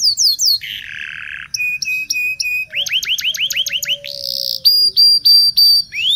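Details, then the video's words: Local canary singing a training song for young canaries: falling whistles, a harsh buzzy trill, short clipped notes, then fast rolling runs of repeated upswept whistles and steady chirps. "Suara Burung kenari lokal super gacor bagus untuk pancingan kenari belajar bunyi"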